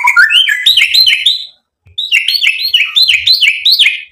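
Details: White-rumped shama singing energetically in two quick bursts of ringing, stepped whistles that climb in pitch, each note clipped and rapidly repeated, split by a short pause.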